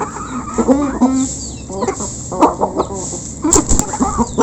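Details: Close recording of a local chicken flock eating. Rapid, low clucks and brief squawks overlap from many birds, with sharp clicks from pecking and a constant high whine in the background.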